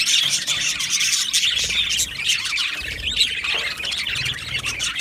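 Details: Budgerigars in an aviary colony on 12 July 2025 give harsher squawks and rising squeals mixed into a steady background of flock chatter.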